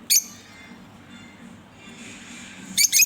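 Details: A pet pair of green Fischer's lovebirds gives a sharp, high chirp at the start and a quick double chirp at the end, with a quiet stretch and a low steady hum between.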